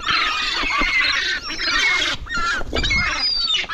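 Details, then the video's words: Gulls piling in for food and competing, loud overlapping nasal screams and wailing calls from a crowd, with brief dips in the din at about 1.4 and 2.2 seconds. "Hungry gulls pile in for food"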